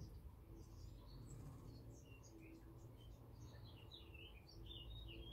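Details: Birds singing in a garden on a sunny day, visiting a feeder for food and water; scattered short high chirps and twitters from several birds over a steady low rumble of a trickling water feature.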